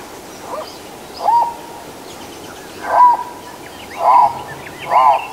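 Livingstone's turaco gives low, hoarse, croaking notes, repeated about once a second and quickening slightly. Faint higher chirps from other birds sound behind.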